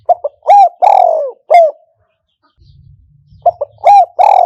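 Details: Spotted dove as a decoy for old-style enclosure trapping, giving two loud phrases of clipped stuttering notes and long falling hoarse coos, separated by a pause with faint low rumbling.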